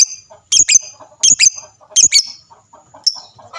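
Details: Lovebird calling intended to draw answers from other lovebirds: paired shrill chirps repeated roughly every three quarters of a second, then a lone trailing note and faint quieter chatter.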